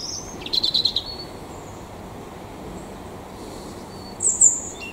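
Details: Mistle thrush singing: a short burst of high, thin whistled notes with a quick twittering flourish near the start, then a pause and a second squeaky high phrase at the end, over steady background noise.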